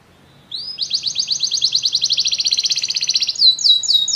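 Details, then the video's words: Canaries singing together after hearing music: a rising whistle opens a long steady rapid trill of evenly repeated notes, ending in quick falling sweeps. "muitos canários cantam junto depois de ouvir essa música"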